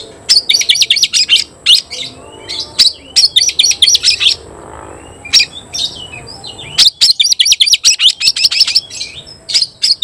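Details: Caged Oriental magpie-robin singing hard against a rival: rapid bursts of sharp, repeated chirps in fast trains, broken by brief pauses, with a few whistled notes between bursts.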